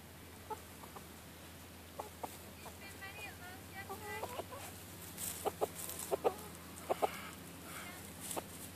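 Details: Silkie chickens free ranging on a farm: scattered soft clucks, a run of short warbling, wavering notes in the middle, and sharp clicky sounds, over steady outdoor rustle and hum.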